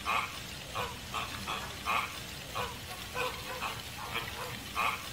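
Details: American flamingo giving spaced nasal honks, some louder and clearer, repeated about twice a second over a soft background of distant calling.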